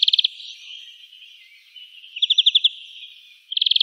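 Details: European greenfinch recorded in Wittlich, Germany, in 2018: quick trilled rattles at start and end framing soft twittering and a slower series of about six chirps in the middle.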